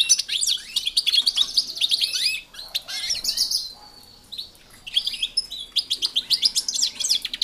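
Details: Captive European goldfinches in an aviary shared with canaries sing bright, liquid twittering and tinkling chirps in quick bursts, with a brief lull midway; other small cage birds seem to twitter alongside.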